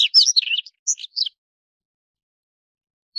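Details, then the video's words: A Daurian redstart (Phoenicurus auroreus) gives a quick burst of high, scratchy chirps and twitters for just over a second, then falls quiet apart from one faint thin note. "黃尾鴝(北紅尾鴝)/Daurian Redstart"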